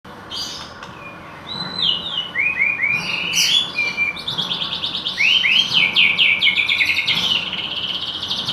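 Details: White-rumped shama trained with canary-style song (isian kenar), delivering varied high whistles, rising slurs and fast rattling trills that build into a dense continuous stream of chirps after a quiet opening.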